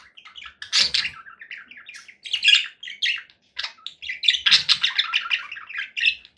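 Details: Conure parakeet mixing loud squawks with rapid squeaky chattering and chirped whistles in a continuous varied stream.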